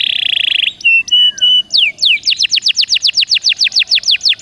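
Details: Caged canary song for prompting other birds: a buzzy trill, a few short level whistles, then a brisk series of loud descending sweeps repeated about four times a second.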